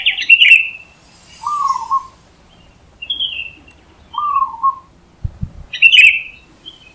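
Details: Wild zebra dove with loud song: two quavering mid-pitched coos about three seconds apart. They are set among sharper, higher, slurred whistles from another bird, with a brief low thud near the end.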